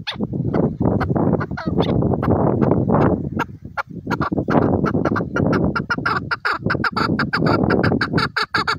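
A chukar calls in harsh, rapid clucking chuck notes that run together almost without pause, growing into a quicker rhythmic series toward the end.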